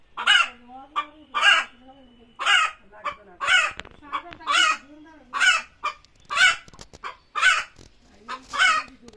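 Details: Chicken calling before laying eggs: regular harsh squawks roughly once a second, with a low droning background sound running beneath several of them.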